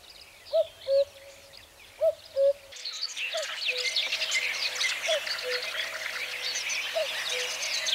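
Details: Common cuckoo calling in spring: two clear falling cu-coo pairs close together, then quieter repeated calls as a dense chorus of high chirping birds swells behind.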